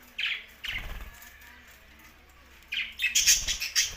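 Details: Budgerigars, tagged Larkana, Sindh: a few short, bright chirps early on, a quiet gap, then a dense burst of high, scratchy chirping with flutter-like noise near the end.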